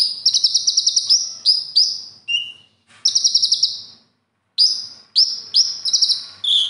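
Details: Konin singing a competition-trained song stocked with other birds' song material: rapid buzzy trills alternating with high thin whistles, in bursts separated by short pauses.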